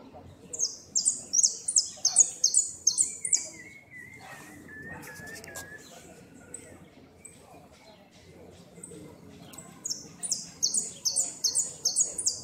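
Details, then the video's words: Goldfinch ranked second in a 2016 northern-zone singing competition, in the repique style: rapid runs of high, clipped repeated notes, a pause with a lower sliding whistle, then another fast repeated series, with quiet voices beneath. "Amarillo de repique"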